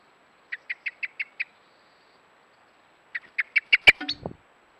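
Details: Common blackbird carrying worms in its beak, flying onto a trail camera and giving an alarm call: two quick bursts of about six sharp, clipped notes, the second ending in a loud click and a brief low rasp.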